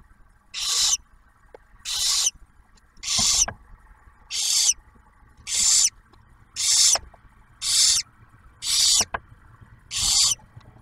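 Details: At a nest box near Oak Harbor, Ohio, the male barn owl brings food and the female feeds the first-hatched owlet. Ten loud, noisy hisses, each short and rasping, repeated at roughly one-second intervals.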